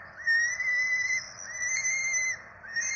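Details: Begging from four Peregrine falcon nestlings fed at a Rome nest on 12 April 2024: steady whistled screams about a second long, each slightly upswept at the start, in close succession.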